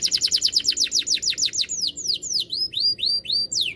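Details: Canary in full, steady singing form with a loud, hard voice: a run of rapid, sharply falling whistled notes, then slower sweeping downslurred whistles with high upturned notes above, about three per second.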